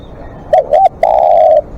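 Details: One long-calling phrase from a spotted dove kept as a live decoy: a short coo, a second slurred coo, then an extended, smooth, steady coo lasting over half a second, with light clicking.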